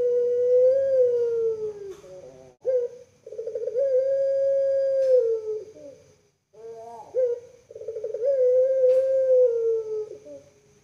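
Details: {'caption': 'A cared-for puter pelung collared dove from Java, Indonesia, repeats its drawn-out kooook voice. Long smooth coos alternate with quick throaty gurgles, roughly every four seconds, in a quiet indoor setting.'}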